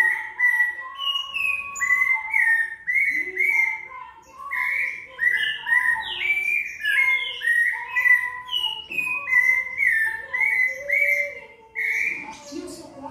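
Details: Sabiá da mata, or rufous-bellied thrush, in its 'vivi vovó viu' song: mellow whistled notes in short varied phrases, about two per second, sliding up and down, with a softer lower whistle and faint high chips in the background.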